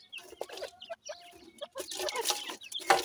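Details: Young pheasants at their food: scattered high peeps and brief chirps at first, then a denser, louder burst of overlapping squeaky calls toward the end, with some pecking clicks.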